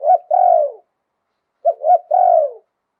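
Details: Spotted dove song of the liu tan style with a wild voice, Thailand: two tight phrases, each a pair of brief rising coos followed by a sustained coo that falls away, about 1.6 seconds apart.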